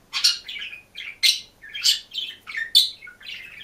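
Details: Caged budgerigar on its own, chirping and singing: a lively string of bright, high chirps and buzzy warbled notes, about eight separate bursts with short gaps, clear and close against a quiet room.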